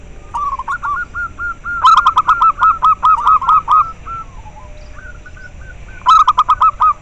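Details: Local zebra dove sounds used to rouse breeding drive and lure doves: fast trains of short rising coos, two loud rattling staccato bursts of sharp notes, overlapping softer coo series throughout.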